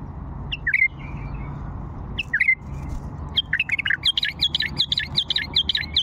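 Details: Song phrases of an old Fawi bulbul: two brief fluty, warbled phrases, then from midway a rapid run of bright repeated chirping notes continuing to the end, with a constant low rumble beneath.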